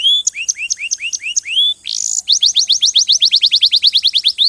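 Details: Canary song: a run of rising, upslurred whistles, then a brief harsh buzzy note, followed by a fast, even trill of sharp repeated notes about five per second, loud and clear.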